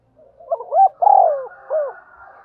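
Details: Spotted dove in fighting and calling display: a single phrase of short rising hoots, a long husky rolling coo that falls away, and a closing low coo.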